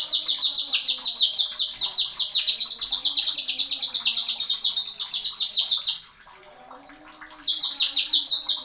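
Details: Greater green leafbird (cucak ijo) in a masteran tutor recording, singing in the rapid-fire 'nembak' style with sharp 'isian' fills. Fast bursts of bright, repeated high notes run about three per second, broken by a short quiet pause.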